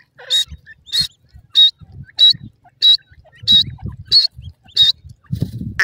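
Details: Grey francolin, male and female: shrill, high notes repeated about every 0.6 seconds in a regular series, with soft low rustling sounds between them.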